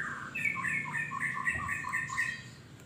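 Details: Greater green leafbird song used to stimulate other birds: a quick run of clear whistled notes alternating between two pitch levels, bright and chattering, with faint low background hum.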